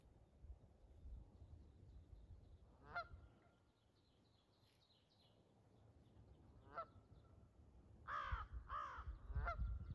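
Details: Canada geese, a family with goslings, flushed by accident by a walker on a riverbank in Prince Edward Island: single honks near three and seven seconds, then a quick burst of repeated honks, over low rumbling background noise.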